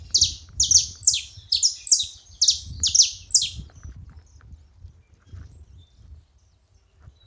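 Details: Several saffron finches together: a run of about eight sharp, high, downward-slurred chips, roughly two per second, in the first four seconds, then near quiet with low rumbling background.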